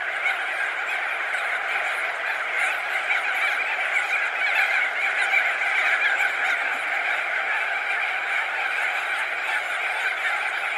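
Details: Crested auklets, thousands of birds perched and wheeling overhead, calling together in a dense, continuous chorus of overlapping honking and chattering notes that merge into a steady roar with no gaps.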